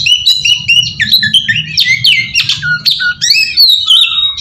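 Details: Oriental magpie-robin singing as a lure to draw other magpie-robins: a long, varied stream of clear whistles, sharp downslurred notes and harsh chattering bursts, steadily loud, over a soft low hum.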